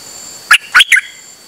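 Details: Dok Taeng bird singing on a rare outing, 8 September 2023: three loud, slurred chirps spaced about a fifth of a second apart, with nothing else audible.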